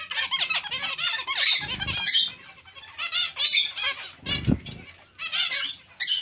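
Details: Zebra finches calling as a colony alongside other finches: bursts of many overlapping short, stacked nasal notes, broken by brief low flapping and bumping sounds around the second and fourth-and-a-half seconds.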